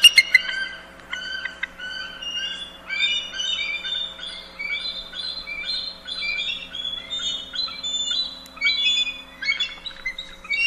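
Bald eagle giving high, thin, squeaky piping notes in stuttering chattering runs, some notes rising and falling, over a faint steady background hum.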